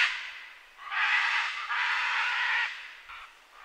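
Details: Scarlet macaw screaming: two long, coarse, nasal squawks, each lasting close to a second, after a fainter opening squawk and before a short clipped final note.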